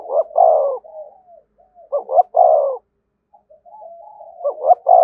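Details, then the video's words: Spotted dove calling 'thúc gù' close to a decoy bird. Repeated phrases of a rapid double note and a long throaty coo come roughly every two seconds, linked by soft murmuring notes. "Tiếng chim cu gáy THÚC GÙ giọng hay với sát bổi"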